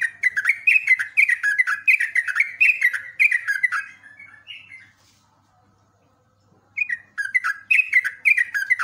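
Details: Sooty-headed bulbul singing, a training recording for cage birds: rapid bursts of bright chirps and short whistled notes dipping from high to lower pitch, a brief softer pause midway, then the chattering phrases resume.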